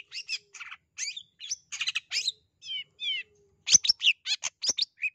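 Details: Long-tailed shrike call used to stir a shy or lazy shrike to sing: uneven clusters of scratchy chatter, a pair of short trilled whistles in the middle, then a loud sharp flurry of squeaky notes.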